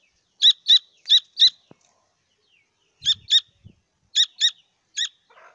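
Grey francolin chicks give thin, high peeps in quick runs of two to four, separated by short pauses, with a few soft low thumps.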